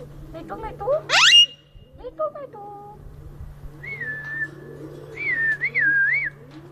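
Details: A ringneck parrot in Bahria Town, Lahore, Pakistan, gives one harsh rising squawk, a few low speech-like notes, then clear wavering whistles that rise and dip repeatedly, over a steady electrical hum.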